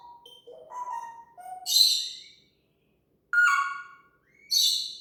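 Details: Pet talking parrot mimicking sound effects: a run of short whistled tones stepping up and down, then loud harsh harmonic bursts, a second burst after a pause, and a final buzzy rising blast.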